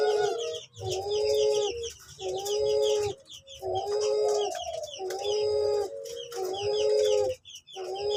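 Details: Cuhu LoPel hybrid dove, bred from an Uncal Loreng (barred cuckoo-dove) and a Puter Pelung: a steady series of low, resonant coos, each lasting about a second with brief gaps, and light twittering from other birds behind.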